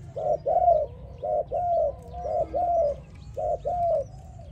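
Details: Spotted dove song for training: mellow cooing phrases, each a brief note followed at once by a longer, smoother coo, the pair repeated evenly about every second against a low background rumble.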